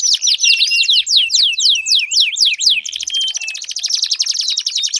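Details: Canary song to coax a mute canary to sing: a run of loud looping down-slurred whistles about four per second, switching abruptly to a fine rapid buzzing trill.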